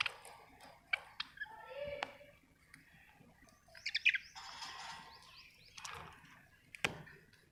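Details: Pet budgies kept at home, giving scattered chirps and short warbling notes with brief buzzy bursts between quieter pauses.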